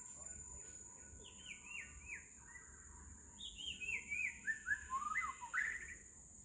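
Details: White-rumped shama singing in Singapore on 10 May 2026: rich, fluty phrases, a run of falling slurred whistles, then a louder, varied burst of twisting notes, over a steady high insect hiss.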